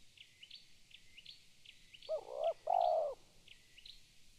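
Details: A spotted dove calls with a stuttering coo and a long, full, mellow note, over a background of another bird's high, thin chirps repeated rapidly.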